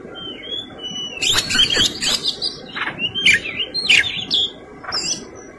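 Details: White-rumped shama giving fighting song: loud clear whistles alternating with harsh buzzy bursts and rapid chattering trills, phrases spaced by brief pauses.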